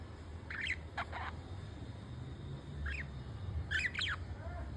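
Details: Male and female pet budgerigars preening one another as a sign of bonding; several brief squeaky chirps and scratchy squawks come in small clusters over about five seconds, with a low background hum.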